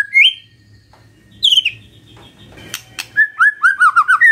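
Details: Magpie-robin singing in the morning, used to prompt quiet birds to answer: short bright whistled notes, a gap, then a quick string of rising and falling whistles near the end.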